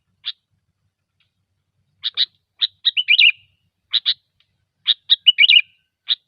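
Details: Sooty-headed bulbul singing gecor style as a lure: paired bright chips accelerating into bubbling whistled warbles, two such phrases, with a lone chip at each end.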